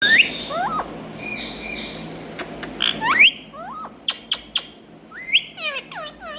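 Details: Indian ringneck parakeet, a green parrot kept as a pet; a jumble of sharp rising and falling squawks and whistled slurs, some buzzy chatter, with short pauses between bursts.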